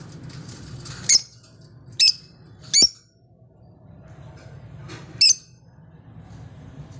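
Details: A pair of pet lovebirds kept at home giving four sharp, shrill, high-pitched chirps, three close together in the first three seconds and one more after a pause, over a quiet indoor room hum.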